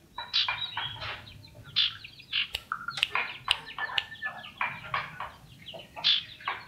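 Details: Talkative hand-reared common iora, loud and lively: a busy jumble of sharp high chips and short downslurred notes, uneven in rhythm, with occasional stronger clicks.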